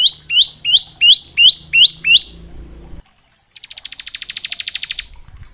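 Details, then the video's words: Bar-winged prinia in 'ngebren' variation song, played to train young prinias: seven sharp upslurred whistled notes at a steady beat, a brief silence, then a rapid high buzzing trill lasting about one and a half seconds. "Suara Ciblek gacor ngebren syahdu"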